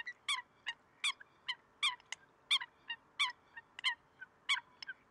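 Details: Eurasian coot, Greece, February 2023: bright, explosive notes alternating loud and softer in an uneven, rapid series, about one and a half per second, over faint background hiss.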